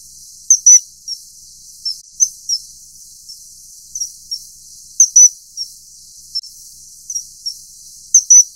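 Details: Mating common kingfisher (Alcedo atthis): a steady series of high, piercing whistles, about nineteen bursts a minute at uneven spacing, with loud doubled notes recurring every few seconds against a faint hissing background.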